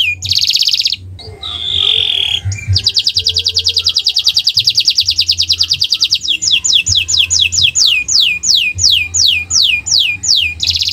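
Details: Owor-owor style canary song meant as training material for pet birds, opening with short bursts and a rough buzzy note, then a long fast high trill that slows into evenly spaced downward-sweeping whistles.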